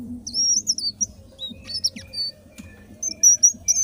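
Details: Indigo flycatcher in full song: high, sweet whistled notes that rise and fall, mixed with short chips and a few scratchy notes, against a continuous low droning background.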